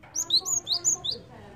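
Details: Java sparrow lure call, used to draw in other birds: a quick run of about six high, clipped chirps, some sliding up or down, set over a faint low background hum.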